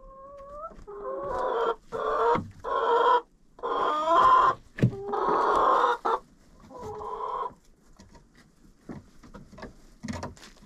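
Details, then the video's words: Hens in a coop, recorded with a GoPro placed inside: a rising whine opens a series of six drawn-out, nasal clucking calls, each about a second long with short gaps. Quieter scuffles and taps follow. "Hanging out with Chickens in a Coop"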